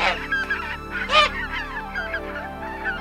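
A goose gives harsh, nasal honks, with one loud blaring call near the middle, over a steady low hum.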